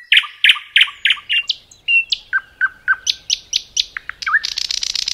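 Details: Forest nightingale song with loud repeated chirps, a downslurred whistle, a row of sharp notes, then a fast, dense high rattle at the end.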